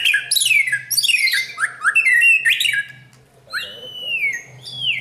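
A white-rumped shama sings loudly: three seconds of harsh, chattering squawks, then clear, drawn-out whistles that slide downward, over a faint low indoor hum.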